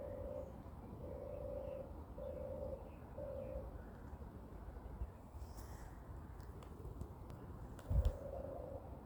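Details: Morning song of a European turtle dove walking on the ground, 29 May 2023 at 6:34; four rolling low purrs in quick succession, a pause with scattered clicks and rustles, then one more purr.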